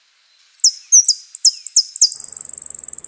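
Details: Saffron finch (Sicalis flaveola) song: five sharp, very high notes slurring downward about a third of a second apart, then a fast, even, high-pitched trill.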